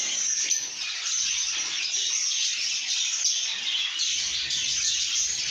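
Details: A chatty group of lovebirds in a contented mood, producing constant high, hissy chirping and twittering, with faint low rumbling beneath.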